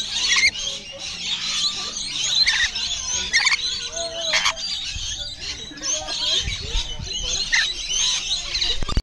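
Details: Wild lorikeets at afternoon feeding time at Bungalow Bay on Magnetic Island, off Townsville, where they are fed daily. The flock keeps up constant harsh, high screeching and chattering, with overlapping squawks and faint voices in the background.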